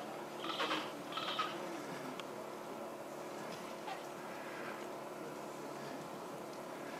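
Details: A hungry Gentoo penguin chick begs for food at Brown Station, Paradise Bay: two quick, high, reedy bursts in the first second and a half, then quiet under steady wind hiss.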